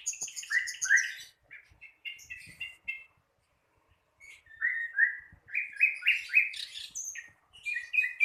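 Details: A still-learning sikatan londo flycatcher sings in bursts: rolling upslurred whistles and chirps, a quiet gap of about a second, then more rising whistled notes repeated in quick succession.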